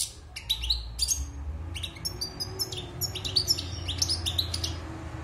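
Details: Caged wild European goldfinch, six months in captivity and fresh from moult, sings crisp metallic chirps and tinkling twitter notes in quick succession over a low rumbling background.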